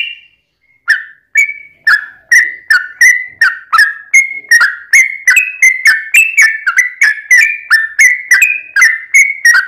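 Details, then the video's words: Yellow-vented bulbul fighting song, played to make other bulbuls respond. After a short pause, a long unbroken string of punchy whistled notes speeds up slightly, each note dipping or rising in pitch. "trucukan gacor tarung ROPEL PANJANG buat pancingan trucukan agar bunyi"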